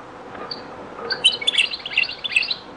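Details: Song of a European goldfinch in the Beni Messous 'les avocats' (zaboka) style, a very old recording: soft opening notes, then a lively, jumbled stream of high tinkling twitters and chirps.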